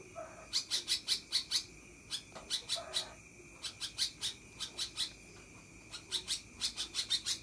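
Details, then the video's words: Sooty-headed bulbul giving a long chattering song: rapid bursts of bright, clipped notes delivered in quick runs of four to six, separated by short pauses, over a steady high background hum. "Kutilang konslet ngekek"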